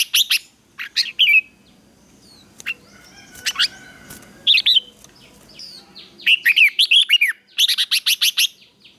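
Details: Red-whiskered bulbul giving a fighting song as morning training: sharp clipped chirps and short bursts of rapid, high whistled notes, scattered across the recording with quiet gaps.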